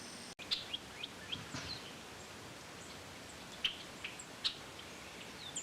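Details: Audubon's oriole (Icterus graduacauda), call.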